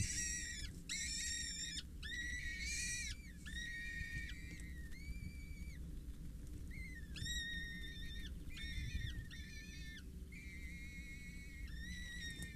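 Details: Four young Peregrine Falcons, 6-8 days old, at the Scheveningen water tower on 8 May, beg while a parent feeds them: a run of thin, harsh whistled squeals, held flat or gently arched, with brief gaps, over low background rumble.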